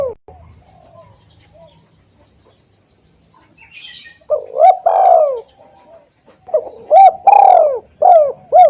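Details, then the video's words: Spotted dove lure call to attract wild doves, loud and clear: quiet start with a brief high twitter, then two phrases of mellow hooted coos, each carrying one longer arched note. "suara pikat tekukur||suara keras dan jernih"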